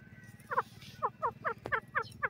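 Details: Grey francolin, called bhura teetar or teetar in Hindi, gives a series of short, paired, clucking notes. There are about eight evenly spaced notes, roughly two per second, over a low steady rumble, with a faint sharp click midway.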